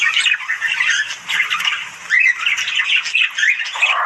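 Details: Budgerigars' morning chatter: continuous scratchy warbling with buzzy squawks and brief whistled chirps, steady and busy throughout.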